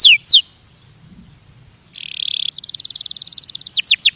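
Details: Canary song: two loud falling whistles open, then a quiet gap, a short buzzy trill and a fast, even series of high rapid notes ending in more sweeping downward whistles.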